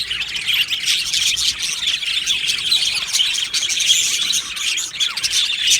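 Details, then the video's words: Many budgerigars in an aviary colony keep up steady high-pitched chatter, overlapping squeaky chirps and warbling twitters from start to finish. "Beautiful Happy Budgie singing and chirping sounds"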